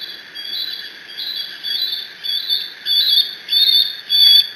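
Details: Young bald eagle alone in its nest at Decorah, recorded by a live nest camera on 30 June 2017, squeeing while mantling a fish its father delivered. High, thin squealing notes come in uneven bursts and grow louder toward the end.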